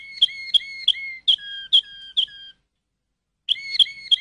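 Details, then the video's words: Waterslager (Malinois) canary: six quick click-and-whistle notes, the later ones lower in pitch, then a second of silence before three more notes resume. "تغريد كناري المالينوا (الوتر سلاجر)CD Chant canari malinois"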